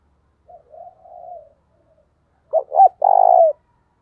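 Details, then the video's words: Lure call of a spotted dove for attracting wild doves: a soft, low cooing phrase first, then a loud two-note pickup and long throbbing coo, against a quiet background. "tiếng cu gáy thúc căng lửa, mở lên bổi nghe gáy theo cả ngày"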